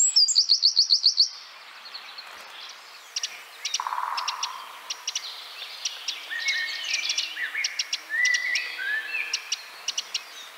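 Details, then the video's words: A Eurasian wren, whose sharp song is used as tutor audio for training songbirds, opens with a fast, high trill of about a dozen ringing notes, then a scatter of sharp ticks, chips and short whistled slurs. "Masteran Tembakan Tajam Eurasian Wren"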